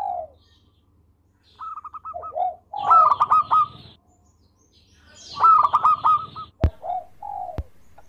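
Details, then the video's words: Melodious singing from a local zebra dove used as a tutor recording: two loud bursts of fast clipped trill notes, each followed by mellow falling coos, with sharp clicks in between. "Perkutut Lokal Gacor Suara Merdu"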